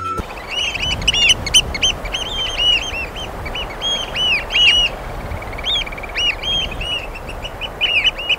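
Eurasian oystercatchers give loud, shrill piping 'kleep' calls, several birds overlapping in quick, excited runs, over a steady low rush of wind or surf.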